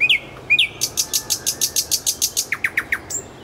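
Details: Nightingale song from Kuzminki forest park: two sharp slurred notes, then a rapid, buzzy, high-pitched rattle of many strokes ending in four clear downward-sliding notes.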